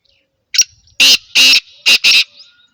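A black francolin gives its harsh, grating call: a short click, then four loud rasping notes in a clipped, rhythmic phrase.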